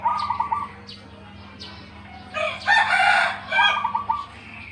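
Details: Local zebra dove with a big voice, used as a master bird: short bursts of quick pulsed cooing at the start and near the end, broken by a loud, harsh crow-like burst in the middle.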